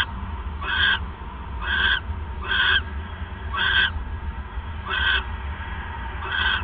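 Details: Owl at night on December 28, 2014, 9:42 PM, during the male's third mouse delivery; six grating, hissy bursts come at uneven gaps, with a low steady rumble underneath.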